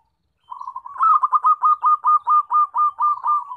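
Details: Zebra dove with a loud call used for luring and trapping: a rapid series of short, rolling, bubbly coos repeated about twice per second for three seconds, steady mid pitch, otherwise quiet.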